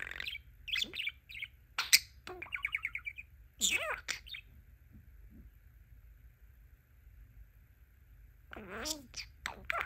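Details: Talkative male pet budgerigar chattering in bursts of quick chirps and a rapid buzzy trill, then a quiet gap before more warbling syllables.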